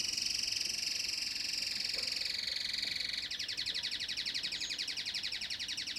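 Domestic canary song: a high rolling trill for three seconds, then a faster, sharper pulsed trill, both continuous and bright.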